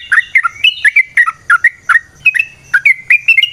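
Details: Sooty-headed bulbul singing as a lure for other bulbuls, a lively run of short whistled and chirpy notes, rising and falling, delivered in quick clusters with a faint low rumble behind.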